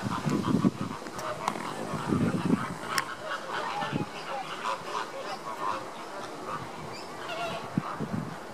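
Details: Caribbean flamingos recorded in August 2014: a flock giving low, nasal honking calls in clustered bursts, with scattered higher gabbling notes and some background murmur throughout.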